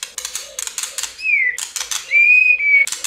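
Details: White-rumped shama singing in many voices in the clicking 'giật tạch' style, played to prompt shamas to sing: rapid dry rattling clicks in short bursts alternate with two long, clear, high whistles, the first gently falling, the second held level.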